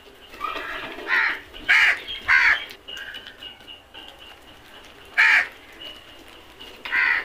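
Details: Crows eating together as a flock: loud raspy caws in a quick run of three, then a pause with faint thin calls, then two more strong caws.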